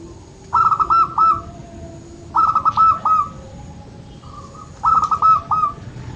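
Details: Zebra dove of the local form cooing, intended to stimulate birds that rarely sing: three phrases of rapid chopped whistled notes each ending in a short held tone, spaced about two seconds apart.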